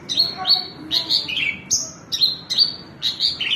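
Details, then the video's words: Branjangan (Javan bush lark) uttering clear, high, slightly buzzy notes and descending slurs in short bursts, a few per second, loud and close. "New Branjangan bird excelent"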